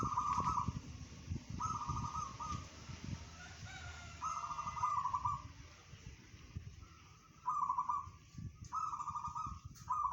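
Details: Zebra dove of local stock in bedah karang song style, claimed to carry 500 metres, gives rapid vibrating coo phrases about every one to three seconds, six bursts in all, with low rumbling background noise between.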